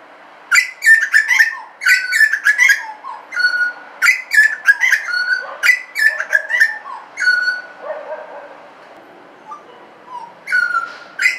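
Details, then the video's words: Butcherbird in suburbia delivering rich whistled song, bursts of rapid fluty notes and downward slides for about seven seconds, a quiet spell, then the singing resumes. "BUTCHERBIRD SOUND IN SUBURBIA suara burung jagal"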